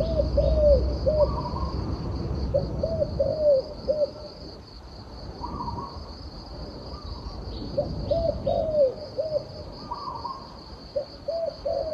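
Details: Cooing turtle dove repeating groups of short low hollow notes, with occasional slightly higher notes between them, over low rumbling background noise and a persistent faint high whine.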